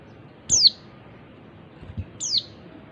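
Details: Two high, thin, down-slurred chirps from a female oriental white-eye, a call meant to trigger song in males, separated by about a second and a half of quiet hiss.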